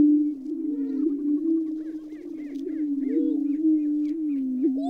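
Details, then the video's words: Greater prairie chickens producing a long, even, low moaning hum with small bulging swells and faint thin higher notes scattered above. "Sounds of a great steppe grouse"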